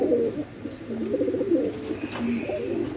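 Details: Cooing of red tail mark fantail pigeons on a farm in Bangladesh: overlapping deep, bubbling coos, and one faint higher note near the start and another toward the end.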